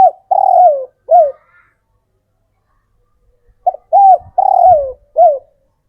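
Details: Captive local male spotted dove, raised from the wild, cooing to call females: two phrases of soft, low hoarse coos, each a short note, a rising coo, a long falling coo and a clipped final note, separated by a pause of about two and a half seconds.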